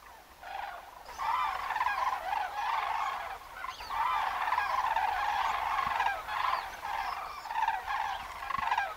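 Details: Large wintering flock of common cranes in the Alentejo, Portugal, where they stay from November to February, adults and a brown-headed juvenile; many overlapping trumpeting calls form a continuous rolling chorus with faint background rumble.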